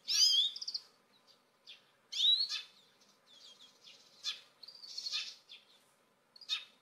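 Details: Grey-capped greenfinch singing: a mix of bright twittering notes, short rising whistles and buzzy trills in uneven bursts, with pauses between phrases and little background noise.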